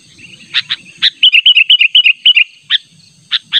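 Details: Sooty-headed bulbul insistently calling a rival, natural sound: a few sharp chirps framing a quick rhythmic chatter of about ten rolling notes, with a steady high-pitched whine throughout.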